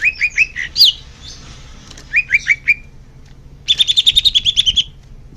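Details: Greater green leafbird, song used to encourage caged birds: short groups of rising whistled notes with a high squeal, then a quick even run of bright repeated notes.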